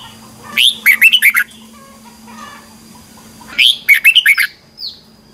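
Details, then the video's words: Red-whiskered bulbul in morning competitive song: two crisp phrases of rapid, chirpy whistled notes about three seconds apart, followed by a single falling note, over a faint low hum. "chào mào hót đấu"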